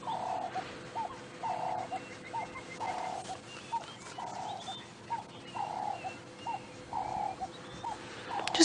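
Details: A distant turtle dove calls on a warm day after a night downpour, in a game reserve on an Oct 25, 2016 sunrise safari: soft low coos in short repeated phrases, about one a second, faint chirps of other birds behind.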